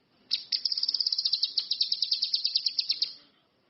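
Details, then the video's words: Orange-headed thrush singing: a steady run of about fifteen sharp, high chirped notes, evenly spaced and slightly falling, lasting close to three seconds against a quiet background. "SUWARA BURUNG CUCAK KINOI/ RANTI MAS, GACOR"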